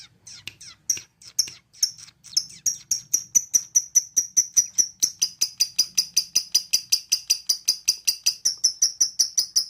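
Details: Lovebird giving a trill while looking for a rival: a rapid series of sharp high clicks that speeds up and becomes steady and loud, repeated many times per second, with faint low background hum.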